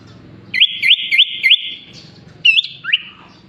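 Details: Sooty-headed bulbul singing with imitations of ciblek, cucak ijo and jalak suren: four quick hooked whistles repeated evenly on one pitch, then a few swooping notes, a steady low hum behind.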